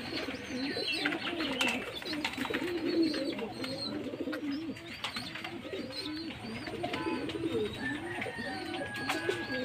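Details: Jacobin pigeons heard in a steady chorus of low, bubbling coos, continuous and overlapping throughout, with faint higher chirps and clicks in the background.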